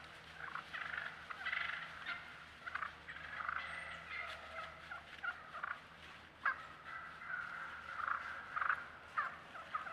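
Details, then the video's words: Wild turkeys on a trail camera give a busy run of rasping yelps, soft rolling purrs and thin whines, overlapping in bursts every second or so against a faint background hiss. "turkeys yelping, purring, whining"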